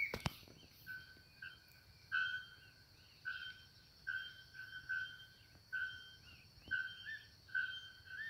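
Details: A gray-hooded attila sings a steady series of clear, whistled mid-pitched notes, about one per second, with a bellbird joining to complete the song, over a constant high insect drone and a few early clicks.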